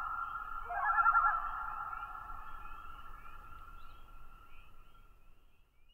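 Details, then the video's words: Common loon call opening with a short quavering tremolo burst, then settling into a long, steady, mournful wail that holds one pitch for several seconds and slowly fades away, with faint low rumble underneath. "Common Loon Calls- Tremolos, Wails, And Yodels"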